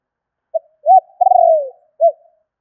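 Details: Spotted dove call for enticing wild birds: a short coo, a rounder coo, a long burring coo sliding downward, then the next phrase begins with another short coo; no background noise.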